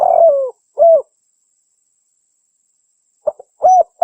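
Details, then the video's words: Local spotted dove (tekukur) call, played to lure wild doves and to train caged birds to call often: low, soft coos, a long falling coo then a shorter one, a two-second pause, then brief notes and another rounded coo, in a clean recording. "SUARA BURUNG TEKUKUR (DERKUKU) PIKAT"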